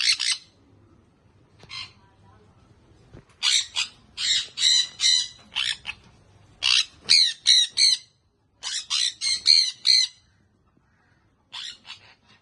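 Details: Baby sun conure parrot squawking almost continuously, harsh raspy screeches in quick runs of three to five, roughly two or three per second, with brief gaps between runs.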